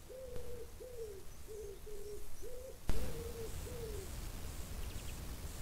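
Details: Chukar partridge calling a steady run of low, arched, hoarse notes, about seven in a row, with a sharp knock midway and faint high chirps from other birds behind.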